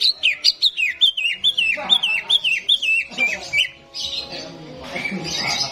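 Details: Greater green leafbird song meant to stir a reluctant contest bird: a fast series of about fifteen loud, clear whistled notes sliding down and up, followed by harsher buzzy chattering with other sounds underneath.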